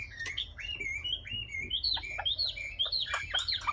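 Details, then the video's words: Distant, soft wambi song: scattered chirped and slurred whistles over low background noise, growing denser toward the end "Kicau Burung Wambi Jernih"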